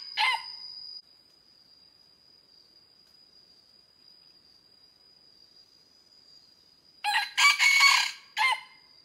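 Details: Red junglefowl in Vietnam, recorded during junglefowl trapping with a decoy on 24 July 2022, giving harsh crowing bursts, one brief at the start and a longer broken run near the end, over a steady high whine.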